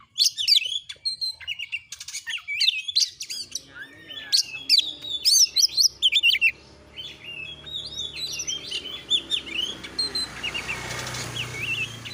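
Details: Kacer, or Oriental magpie-robin, delivering lively song: quick runs of high chirps and looping whistles for several seconds, then softer, sparser notes over a growing hiss of background noise.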